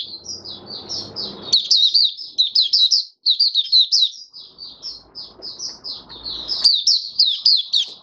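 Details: Mata Puteh Raja, an oriental white-eye, singing openly the fifth day after deworming, 20 January 2022. A dense, high, twittering warble of rapid slurred notes carries on throughout, with rustling and scraping sounds underneath.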